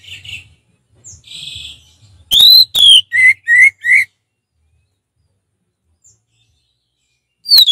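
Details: Caged orange-headed thrush in a relaxed, open full-voiced song: a soft warble, then a quick run of five or six loud clear whistles, the later ones lower and shorter, followed by silence and one final note at the end.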